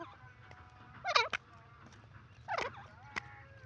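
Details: A free-roaming grey francolin (desi teetar) gives two loud, harsh, wavering notes about a second and a half apart, each followed by a sharp click. A faint low hum sits underneath.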